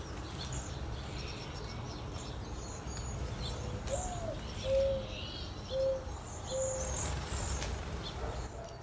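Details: A male Mourning Dove in a Southern California garden, cooing to attract a mate, gives a rising-then-falling first note and three low, steady hoots, while cedar waxwings eating pyracantha call thinly and high behind it.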